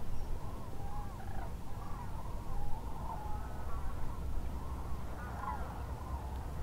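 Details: Many common cranes at the Lac du Der-Chantecoq migration stopover in France, where tens of thousands roost, call in a steady chorus of rolling, trumpeting notes that overlap without pause over a deep rumble.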